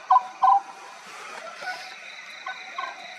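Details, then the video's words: Oriental scops owl at night at Maguri Beel, Assam, India, in March: two short, burry, mid-pitched notes close together, then two fainter ones, over a steady hum of night insects. "Oriental Scops Owl at Night"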